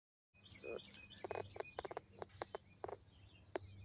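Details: Hungry baby birds give short, sharp chirps in quick bursts, about a dozen over three seconds, over a low background hum.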